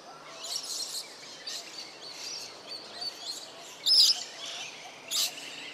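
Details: Rainbow bee-eater, a wild bird recorded near Cairns, Australia; a few short high chirps stand out, two louder bursts near the end, over a soft hiss of background noise.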